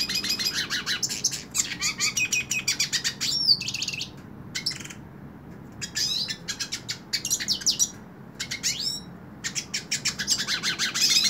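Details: Hooded siskin in the hand, singing a long, lively song of fast trills, scratchy buzzes and thin rising whistles, broken by short gaps, with steady low background noise throughout.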